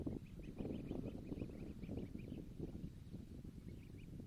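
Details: Recently hatched greylag goose goslings heading to the water at Lake Neusiedl, guarded by adult geese; a rapid string of thin high peeps repeated throughout, over a steady low rumble of wind or water.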